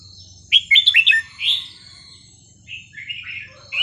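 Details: Melodious song of a caged red-whiskered bulbul, played to teach fledglings: fast chirpy notes running into a longer rolling warble, then softer answering phrases, with faint background hum throughout.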